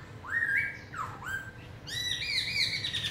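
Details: Forest-voice song of a big black-throated laughingthrush: a rising whistled slur, a dipping swoop, then a rich buzzy, harmonic-laden phrase that holds steady at the end.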